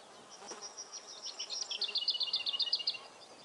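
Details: Lesser whitethroat singing: a run of quick high scratchy notes that builds into a steady series of rapid, evenly repeated bright notes on a similar pitch, over light background hiss.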